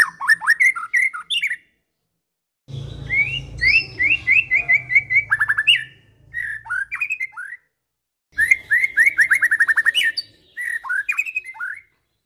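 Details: White-rumped shama of the Medan type in provoking song: bursts of chattering whistled phrases and rapid repeated slurs broken by pauses, with a low rumbling noise under the middle section.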